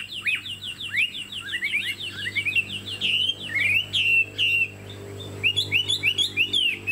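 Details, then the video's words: Chinese hwamei with a fanned tail, a caged songbird, pouring out quick rising whistles in series, then longer slurred phrases and fast repeated short notes at the end. "Họa mi đuôi xòe, dáng dấp cao cầu | Hoạt Họa Mi"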